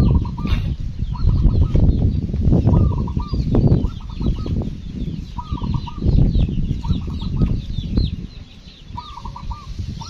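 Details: Local zebra dove in a village on a cool morning, giving a run of short, rhythmic cooing phrases of quick stuttered notes, repeated every second or two over low background rumble and faint high chirps from other birds.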